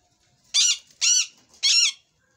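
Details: A pet rose-ringed (ringneck) parakeet in a fighting mood gives three harsh, raspy screeches, each about a quarter second long, spaced roughly half a second apart, in a quiet room.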